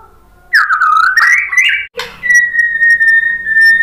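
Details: White-rumped shama song meant to prompt other birds to answer: a warbling, stepped whistle followed by one long steady clear whistle held for over a second.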